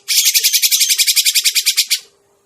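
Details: Two-second burst of a Grey-cheeked bulbul lure call for bird trapping: a rapid, harsh rattle of about eighteen even, scratchy pulses at a steady pace, ending abruptly into near silence.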